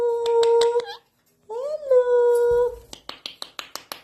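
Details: Indian ringneck parrot in a room, producing a steady nasal voice-like tone, a pause, then a longer rising-and-levelling phrase, followed by a run of quick regular clicks.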